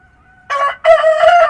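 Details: Rooster crowing at dawn in the countryside, a short sharp opening note followed by a loud, harmonic-rich drawn-out crow that is cut off after a second; the background is otherwise quiet.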